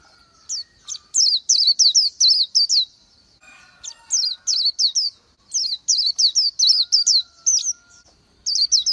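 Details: Oriental white-eye song of high, bright, slurred chirps in uneven rapid phrases with short gaps, over a faint steady background hum.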